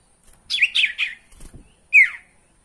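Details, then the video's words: Lure recording of a sirtu for caged birds: a burst of three or four tumbling, twittering notes, a pause with low rustling, then one bright downward-slurred chirp. "PANCINGAN SUARA SIRTU PALING AMPUH"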